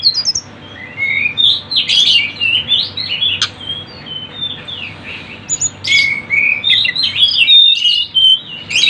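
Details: Sunda bush warbler (tledekan gunung) tutor recording meant to lure birds: a long stretch of rapid high twittering, with varied chirps, trills and short whistles in busy bursts and a brief sharp click near the middle.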